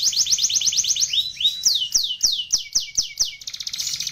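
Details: Canary singing to train other canaries: rapid falling notes, a rising swoop, then slower spaced loud descending whistles each followed by a sharp click-like note, ending in a buzzy trill.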